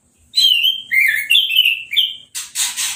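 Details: A freshly moulted captive orange-headed thrush sings in an uncovered cage during a hose-spray bath, giving loud clear whistled phrases that slide up and down, followed by hissing water spray.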